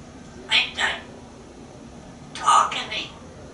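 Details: A talkative male African grey parrot, hatched June 15, 1997, kept as a pet in a home in Texas. Two short, soft, speech-like bursts about two seconds apart, quiet indoor background hiss.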